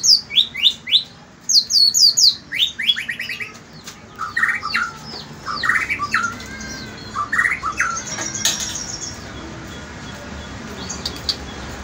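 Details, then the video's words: White-rumped shama singing in the morning: rapid series of loud whistled notes and sweeping rising phrases, repeated quickly, then varied warbling trills with chattering notes; faint background hum. "Kicauan murai batu di pagi hari"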